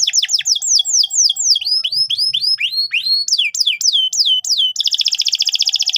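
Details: Canary singing for training juvenile canaries: strong, repeated sweeping whistled notes falling in pitch, about four a second, shifting into a fast, even buzzing trill at the end.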